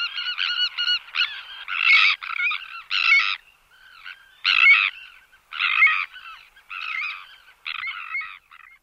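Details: Sandwich tern calling during flight displays or alarm in the colony: a series of harsh, grating, rasping calls in short bursts, about one every second, some spaced by brief pauses, with no other sounds.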